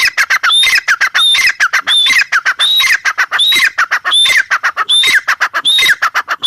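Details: Female grey francolin giving a loud repeated call: harsh grating notes mixed with high piercing whistled tones, phrases repeating roughly every second and a half, no other sounds.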